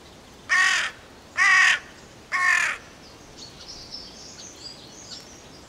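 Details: Three rasping, drawn-out caws from a carrion crow, spaced about a second apart, then fainter chirping of smaller birds against a constant hiss of outdoor background.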